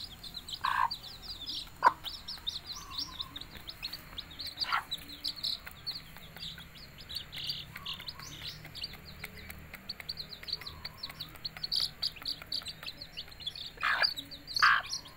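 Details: Chicken mother calling her brood to eat: occasional short, low clucks rise above a dense, continuous chorus of high, downslurred chick cheeping.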